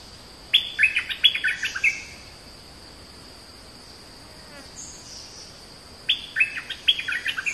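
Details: Oriental magpie-robin giving two bursts of rich, fast whistled song separated by several seconds of near silence. Each burst is made of quick sliding notes. A constant thin high tone runs throughout.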